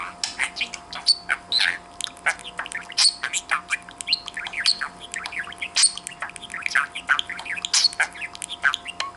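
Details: A pet budgerigar that can talk, interacting with its owner, chatters in a rapid, unbroken stream of high chirps, clicks and scratchy squawks over a faint steady hum.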